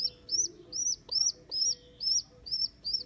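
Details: Baby rock pigeon, rescued after being abandoned by its mother, squeaks repeatedly: shrill arched whistled notes roughly every half second, each slurring up then down, with faint clicks between.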